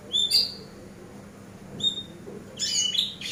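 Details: Eurasian tree sparrow master recording for training: a quick bright chirp, a pause, another single chirp, then a harsh, noisy cluster of chattering notes at the end.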